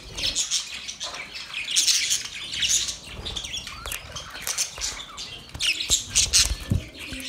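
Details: Australian parrots known as budgerigars making their mating call: dense, scratchy high chatter swells and fades in waves, with squawks and quick tweets over soft background fluttering.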